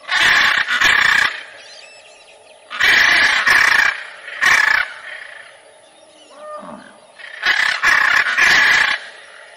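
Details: Macaw giving loud, harsh, raspy squawks in bursts of two or three, spaced by short pauses, with a faint lower call between bursts.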